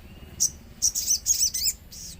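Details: Common iora singing in a lure recording with nature sounds: a few brief, very high, squeaky chirps in quick succession, followed by a softer trailing note.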